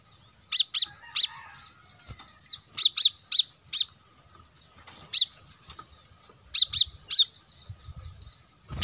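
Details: Plain-throated sunbird, as lure audio for wild birds; clusters of two or three piercing high chirps separated by soft, buzzy twitters, with occasional faint low knocks.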